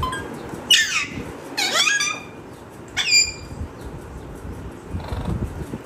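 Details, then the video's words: Pet parrot vocalizing indoors: three harsh, harmonic squawks with sweeping pitch near the one-second, two-second and three-second marks, then a fainter buzzy note, over low background rumble. "Raw parrot talking video talking parrot !!"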